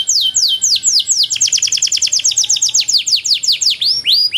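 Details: Canary training song in a long, ornate Indonesian 'cengkok mewah' style: fast runs of bright, downward-sweeping whistled notes, with a rapid rattling trill in the middle and clean rising whistles at the end.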